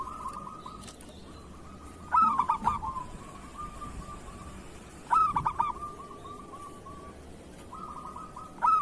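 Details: Local zebra dove song in kerot style for training other doves: soft purring trills held at one pitch, with loud stuttered coo bursts about every three seconds, and faint low rumbles beneath.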